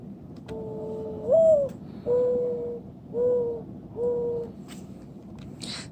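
Mourning Dove giving soft, low, hollow coos: a rising first note, then three steady mellow coos about a second apart, over a faint background hiss.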